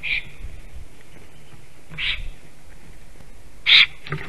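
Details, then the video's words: Black stork at its nest in Sigulda district, Latvia, around midday on 11 April, calling while rearranging twigs; three short hoarse, wheezy bursts spaced about two seconds apart over a low background hum. "Melnais stārķis~ Black Stork is eating Moss? Is singing & rearranges twigs"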